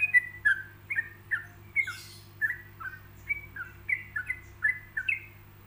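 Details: Yellow-vented bulbul song, made with pauses so other bulbuls can learn and copy it: short, bubbly, slurred whistled phrases, each two or three notes, repeated about every half second, over a low steady electrical hum.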